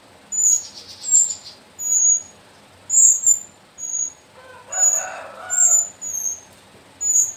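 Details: A young sooty-headed bulbul chick of mountain stock from the Sumbing slopes, one of four kept birds, gives thin, very high squeaky notes every half to one second, with one brief lower chirpy burst midway.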